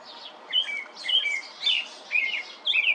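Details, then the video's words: European robin singing, the only detail being a melodious outdoor song: short high warbling phrases with thin whistles and trills, delivered in bursts about every half second to second, clear over a quiet background. "Robin tells melodious tale"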